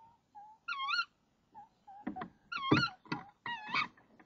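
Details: Nest-box female tawny owl calls at dawn, 26 March 2014, as her mate brings a crumpled frog. Rich, quavering calls repeat between soft notes, with thumps and scuffling inside the box.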